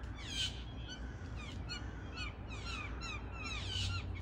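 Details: Early-morning backyard blue jays, one of a family of six expecting peanuts while crows also wait. Rapid series of falling, slurred harmonic notes come in dense, overlapping clumps, separated by brief gaps, above constant low-frequency background hum.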